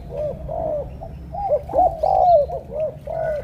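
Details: Deep, pigeon-like 'thổ cọp' coos of a spotted dove in Cà Mau, said to be very fired up but shy of the camera: a flowing string of soft, hollow, wavering coos with a steady low hum behind.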